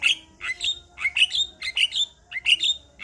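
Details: Male Javan myna, reportedly making other Javan mynas sing, gives a repeated squeaky two-part phrase, a harsh rising note followed by a higher chirp, about every half second.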